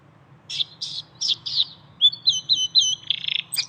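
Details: Canary singing in nature: a series of bright chirped notes followed by rapid high whistled trills and a fast buzzy rattle, over a soft low hum.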